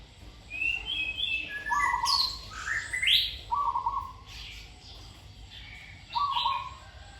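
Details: Zebra dove in training sings short trilled coo phrases, repeated at intervals, while other birds give higher, sharper chirps and rising whistled notes around it.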